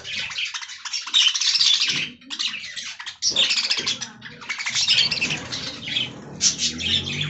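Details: Budgerigars munch fresh green leaves amid loud, continuous scratchy warbling and chirps. Short pauses break it up, and low rustling shows in the second half.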